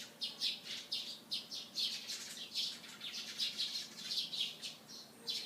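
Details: In the morning, sparrows give a steady stream of short, scratchy chirps, roughly three or four per second, several birds overlapping, with a quiet background hum.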